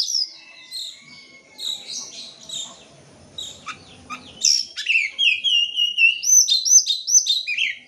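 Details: Oriental magpie-robin lure song to start silent birds singing: a varied medley of short chirps and warbles, growing louder into sharp sweeping notes and a run of clear repeated whistled phrases.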